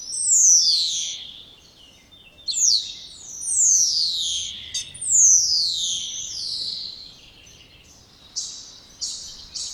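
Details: Loud descending wolf-whistle notes from a spotless starling, four long swoops followed by several shorter, quieter high chirps.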